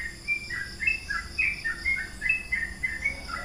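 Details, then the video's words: Yellow-vented bulbul singing a long ropel-style song: a lively run of short, bubbly, liquid whistled notes rising and falling in quick succession, with a steady faint hiss behind. "Trucukan ropel panjang,trucukan gacor"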